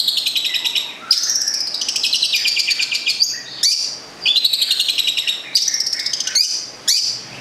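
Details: Long-tailed shrike (cendet) from Gedong Songo, Central Java, kept as a songbird, delivering rapid buzzy high trills broken by sharp downward-sweeping whistles, phrases repeating about every second.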